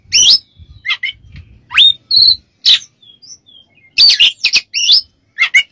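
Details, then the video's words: Oriental magpie-robin singing as a training recording for other birds, a rich mix of clear steady whistles, upward sweeps and rapid harsh twittering phrases, loud and close with quiet gaps between bursts. "MASTERAN KACER DAN TERAPI"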